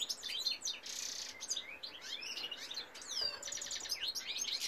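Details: Singing male European goldfinch, 2018: a bright, jumbled stream of tinkling chirps with a brief buzzy note, several downward-slurred whistles and a longer descending slide midway, then more rapid twittering.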